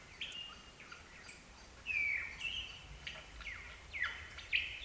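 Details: Lyrebirds at Gibraltar Creek, ACT, Australia: a lyrebird sings a run of loud, clear whistles, with sharp downward sweeps and brief ringing notes every half second or so over a quiet bush background.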